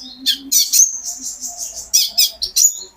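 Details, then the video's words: Pet sunbird in energetic song, used as therapy to get other birds singing: dense, shrill chattering with a drawn-out high whistle in the middle, all packed into about three seconds. "burung konin gacor pancingan terapi burung kolibri ninja agar ikut gacor"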